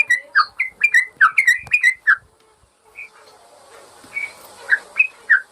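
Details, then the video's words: Yellow-vented bulbul master recording for training caged birds that have gone silent: a fast cluster of liquid whistled phrases, a lull with faint hiss, then several separate slurred notes. "Masteran burung trucukan bikin burung bermental"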